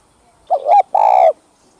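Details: Spotted dove coo for luring wild birds: a soft rising lead-in note followed by a long, steady, buzzy-edged mellow coo, clear and without background noise.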